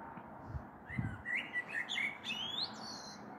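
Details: A common blackbird sings in the evening of 21 April 2022 ahead of a possible thunderstorm, heard from a balcony: quiet low thumps first, then a warbled run of fluty notes ending in a thin, rising high twitter.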